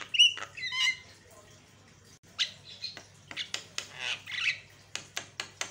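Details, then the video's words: Lure recording of a Javan myna meant to provoke other mynas: opening clear whistled notes with harmonics, then a string of sharp clicks and rough squawks, irregular and chattering, over a low steady hum. "pancingan jalak kebo suaranya bikin jalak emosi"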